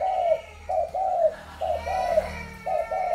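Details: Spotted dove, Malaysian, Thai or Cambodian origin, 21 November 2022: soft mellow coo phrases, each a short note followed by a longer falling one, repeated about once a second over a low hum.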